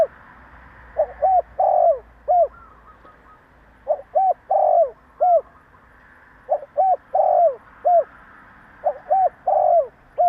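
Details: A spotted dove repeats its provoking call four times, roughly every two and a half to three seconds, each phrase a short coo, arched note, long rolling coo and a downslurred ending note.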